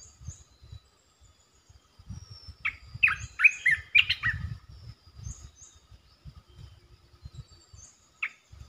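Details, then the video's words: Calling resident red-eyed bulbul on its territory delivers a run of sharp, warbled chirps in quick succession, with high thin notes from other birds and low rustling noise underneath. "เสียงนกกรงตาแดงEp.219 จ้าวหยกสายเรียก!! เจ้าถิ่นมารำ"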